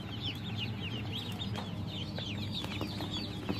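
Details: Baby ducklings in a group, a dense chorus of high, downslurred peeps overlapping rapidly, several per second, over a steady low mechanical hum.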